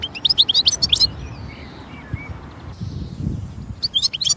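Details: European goldfinch in nature: sparkling high twitters open the phrase, softer slurred whistles follow in a quieter middle stretch, and the bright twittering returns at the end.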